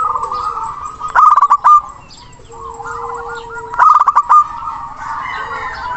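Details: Local zebra dove with a big voice calling a rival, used as a lure to get silent birds singing: two loud bursts of rapid clipped cooing notes, each followed by softer rolling phrases, with a steady whistled tone and other birds behind.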